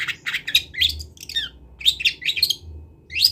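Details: Long-tailed shrike, a local bird from Kendal used as a master recording for training birds, sings a scratchy medley of short buzzy and chattering notes with brief whistled tones, loud bursts separated by short gaps.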